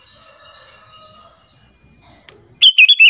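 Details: Sooty-headed bulbul calling to coax other bulbuls to answer. Faint thin tones hang in the background, then one loud, quick burst of four clear, slightly wavering chirps at the end.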